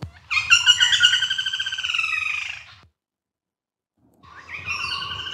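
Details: A woodpecker call from the Biligiri Rangan Hills, India, played as a model for drongo mimicry: a harsh, nasal, rapidly pulsed call sliding slightly lower over about two and a half seconds, then starting again after a short silence.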